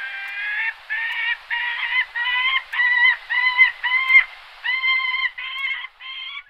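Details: Gyrfalcon uttering a rapid series of harsh, nasal, rich-toned calls, each note about a third of a second, repeated roughly twice a second in a steady chattering run, with no other sounds.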